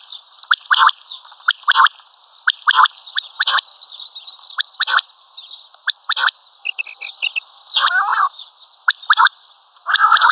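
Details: Calling common quail giving rough, clipped notes roughly once a second in uneven runs. Short twittering chirps sit between the louder bursts, and one longer grating phrase comes near the end.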